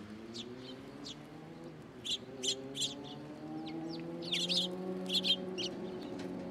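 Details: Sparrows arriving for food early in the morning at a Tenmangu shrine after a full day of rain, giving scattered sharp high chirps that grow busier toward the end over a low steady hum.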